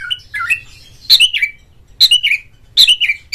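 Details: Oriental magpie-robin lure song meant to provoke a kept bird into singing and fanning its tail: short bursts of clear whistled notes, sliding between pitches, repeated roughly every second with brief pauses.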